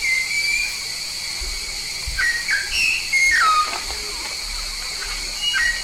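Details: Papuan yellow-faced myna in full song: a run of pure whistles, flat ones and steeply falling ones, scattered irregularly across several seconds above a continuous hissing background.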